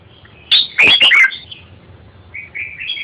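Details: Red-whiskered bulbul: a loud, quick burst of bright warbled chirps with sharp clicks, followed by quieter, repeated short whistled phrases.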